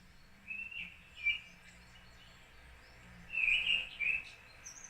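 Mistle thrush song in two short, fluty whistled phrases separated by a pause of about two seconds, over faint background noise.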